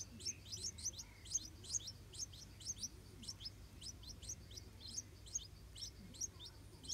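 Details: A stripe-throated bulbul (Pycnonotus finlaysoni) at a nest with hungry hatchlings gives thin, high, scratchy notes repeated quickly, about three a second, over a steady low hum.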